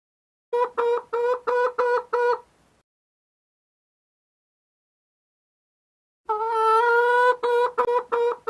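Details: Chicken clucking: a quick run of five nasal, evenly spaced clucks, a pause of silence, then a longer, denser series of harsh repeated clucks rising into a louder cackle; no other sounds.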